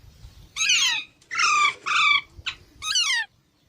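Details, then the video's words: Baby parrots call in a string of loud, harsh squawks, each sweeping downward. Two come close together in the middle and one brief clipped note falls just before the last, over a quiet room background. "Baby Parrots Sounds"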